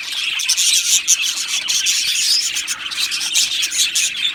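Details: Australian budgies in an aviary colony keep up loud, unbroken chirping and warbling, a dense high chatter of many birds calling at once with scattered sharper squeaks.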